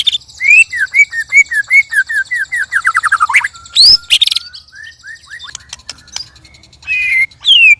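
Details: Three caged white-rumped shamas facing off, loud and strange: a long, even run of short slurred whistles speeding up into a descending trill, a harsh burst, then scattered chips and rising whistles.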